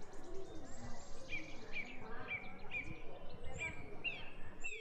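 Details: A baby bulbul on a house rooftop gives thin, high chirps about twice a second, each a short rising note, over a steady low rumble of background noise.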